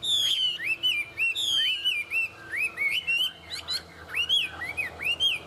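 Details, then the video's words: Chinese hwamei, tame and singing well, opens with long loud descending whistles, then switches to quick upswept notes and short buzzy inserts in a lively, varied phrase. "Họa mi thuần hót tốt"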